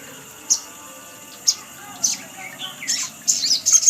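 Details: Sunbird lure call: isolated sharp high chips about once a second, then a denser cluster of squeaky, very high twittering notes at the end.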